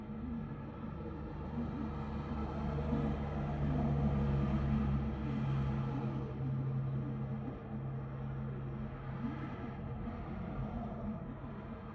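A steady low engine-like rumble with droning hum, and no animal calls standing out.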